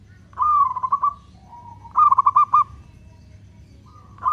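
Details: Local zebra dove giving long cooing song used to provoke other doves: a low, even phrase of rapid pulsed notes near one pitch, a pause, then another pulsed phrase and a third beginning; quiet low hum beneath.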